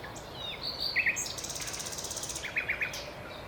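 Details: Common nightingale song mixing short whistled slurs and a quick buzzy trill of repeated notes, ending in a few sharp clipped notes.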